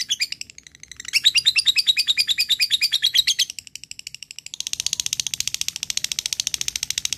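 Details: Ngekek-style singing from a fighter lovebird calling a rival: loud rapid high chattering trill, a short drop in volume, then a long, even, buzzing chatter of fast repeated notes.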